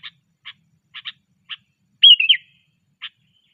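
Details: Sooty-headed bulbul being trained, called cengkram: a series of short clipped notes about every half second, broken by one loud, warbling whistled phrase that rises and falls before the chips resume.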